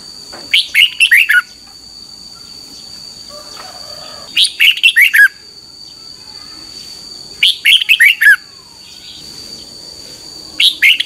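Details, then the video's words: Morning song of a red-whiskered bulbul being trained, 2021: four separate phrases, each a rapid run of five cheerful, whistled notes sloping downward, spaced about three seconds apart over a faint steady high tone. "Luyện chào mào hót sáng 2021"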